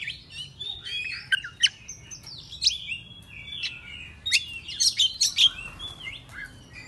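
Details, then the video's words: Oriental magpie-robin singing in the morning, agitated and excited: varied whistled song with sliding notes, then a cluster of quick loud sharp chirps near the end. "Pancingan Kacer Bikin Emosi Agar Kacer Gacor ! Buka Ekor Ngobra - Suara Murai Cacing"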